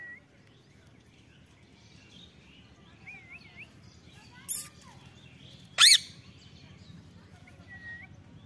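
A macaw gives two brief, harsh, raspy screeches about a second apart. Faint thin whistles from other birds and a low steady rumble sit underneath.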